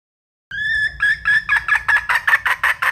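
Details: Red junglefowl hen: a drawn-out, slightly rising note leads into a run of loud, harsh clucks that grow stronger and come faster, about five per second by the end.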